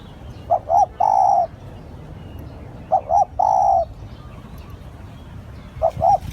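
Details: A decoy spotted dove repeats its call. Two phrases of two short hooting coos and a drawn-out mellow coo, spaced about two and a half seconds apart, then a third beginning at the end.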